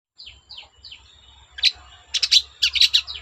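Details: Long-tailed shrike (cendet) singing to provoke other shrikes to sing: three thin downslurred whistles, then harsh, bursty chattering notes coming quickly.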